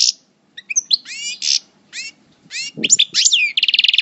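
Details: Parva European goldfinch, coupleur singer in moult from El Bordj: scattered buzzy notes and rising twangy chirps with short pauses, ending in a fast, even rattling trill; a brief low thump sounds once.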